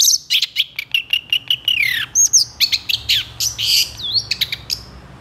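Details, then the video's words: Lively long-tailed shrike song with long phrases: quick sequence of clipped chirps, bending whistles and slurred notes, some dropping in pitch, delivered almost without pause over faint low hum. "SUARA PENTET GACOR DOR EMOSI TEMBAKAN PANJANG"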